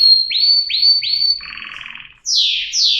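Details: Canary song: three quick rising-then-level whistled notes, a buzzy rattling trill, a brief pause, then two loud high downslurred sweeps.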